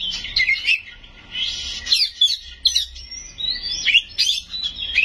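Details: Oriental magpie-robin in full, loud chattering song packed with mimicked phrases. Rapid, rich whistles and scratchy trills leap and slur up and down, with a long, clear, level whistle near the middle, in continuous bursts.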